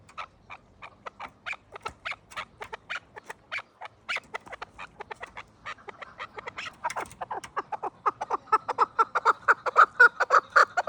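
Chukar partridge giving a rapid series of harsh clucking notes that speed up and grow louder, building into a steady chuk-chuk-chuk chorus.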